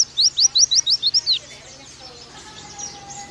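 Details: Oriental white-eye song used as a master for young birds: about eight sharp, high downslurred chirps in quick succession over roughly one second, followed by quiet hiss with a faint sustained tone.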